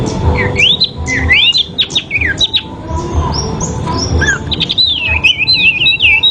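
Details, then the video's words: Sooty-headed bulbul fighting song, part of a dueling recording. Fluid whistled phrases rise and fall in quick wavy slurs, ending in a rippling run of linked notes over a faint low background hum. "KICAU SIRPU TARUNG DAHSYAT"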